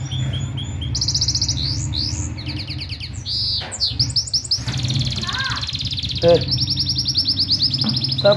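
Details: Gulsir cross canary from Parachinar, recorded 2022, in full rolling song: rapid high trills and rolls, stuttering buzzy phrases and sweeping notes in quick succession, over a steady low mechanical hum.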